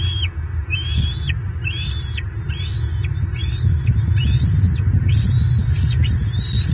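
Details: Bald eaglets on their nest in Southwest Florida, 22 March 2023, picked up by a nest camera: high, thin rising-then-falling squeals repeated roughly every second, over a constant heavy low rumble of wind.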